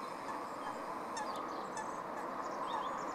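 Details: Dark-bellied brent geese grazing at Stubbers Green on 4 January 2016 give a steady murmur of low, rolling, croaking calls from a flock, with a few faint high chirps from small birds.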